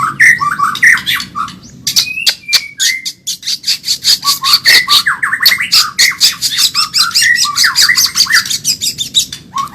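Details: Medan-type white-rumped shama singing very fast and energetically, played to train caged birds: dense rapid bursts of sharp clicks and high notes, mixed with short whistled slurs, delivered almost without pause.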